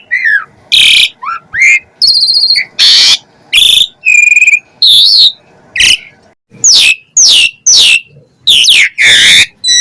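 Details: Chatty Asian pied starling song full of fill-in phrases, said to provoke other starlings: loud harsh rasping bursts alternate with pure whistles and trills, over a faint steady hum.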